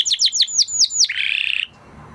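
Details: Spanish Timbrado canary singing a quick series of six sharp descending whistled notes followed by a brief buzzing rattle.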